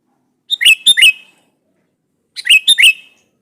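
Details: Sooty-headed bulbul calling to a rival to prompt a response; two clear phrases, each a fast run of four warbled whistles, separated by nearly two seconds of silence.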